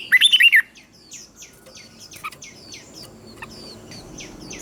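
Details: Caged red-whiskered bulbul from Thailand, its song played to excite other bulbuls, in the southern master style used to teach young birds: one loud quick burst of six bright warbled notes, then faint scattered chirps.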